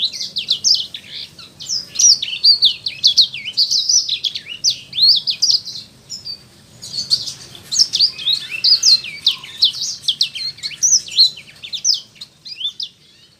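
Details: Sanger bird singing vigorously, recorded as a masteran for caged songbirds: long, loud run of rapid high twittering and sweeping chirps, easing off toward the end.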